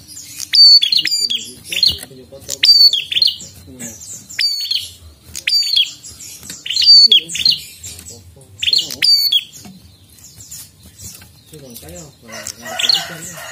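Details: Prinia singing vigorously: repeated phrases of shrill high chirps and crackling clicks roughly every two seconds, with lower warbling notes toward the end.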